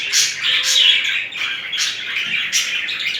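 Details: Pair of budgerigars during mating and affectionate behaviour; dense, scratchy chattering warble in bursts that repeat several times a second, with loud peaks near the start and in the middle.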